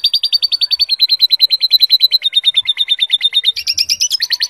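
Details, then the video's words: A canary with lovebird-style song fill sings a fast, steady trill of high buzzy notes, about three per second, then shifts to a higher rolling phrase near the end. "Suara Burung Kenari Gacor isian Lovebird"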